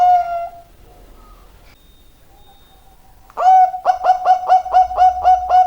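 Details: One long, mellow coo fades out and is followed by a quiet pause. Then a very vocal zebra dove resumes with a fast, regular run of short, throaty coos, about four each second.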